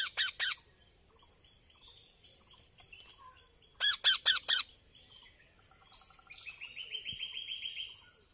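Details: Young parrot calling: three harsh squawks, a pause with soft chirps, then four more rasping squawks, followed by a quieter, fast, rhythmic chattering series.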